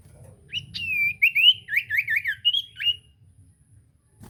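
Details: Common iora singing, played to coax a quiet bird into answering: a single two-second run of clear, fluid whistled notes that swoop up and down in quick succession, over a soft low background hum.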